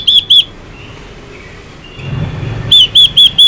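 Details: Female Chinese hwamei used to excite male birds: two loud whistled notes, a quiet gap with low rumbling, then four more clear repeated whistles at an even pace.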